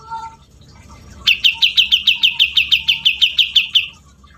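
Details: Grey-cheeked bulbul (cucak jenggot) in busy song: after a soft low whistle, a rapid run of about fifteen bright, staccato chirps repeated evenly over nearly three seconds.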